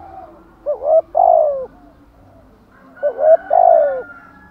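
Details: Spotted dove giving the calling coo known locally as Thúc Gù or Gáy Gọi: two matching phrases, each a short rising note, a pause, then a longer, lower, drawn-out coo, repeated about two seconds apart in quiet surroundings.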